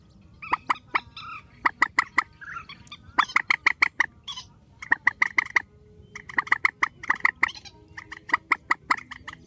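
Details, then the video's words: Spliced grey-headed swamphen calling, strong and loud: quick strings of harsh nasal notes, a brief rising squeal between runs, with bursts of five to ten notes. "Tiếng trích TRÍCH GHÉP SỐ 4, tiếng trích mạnh"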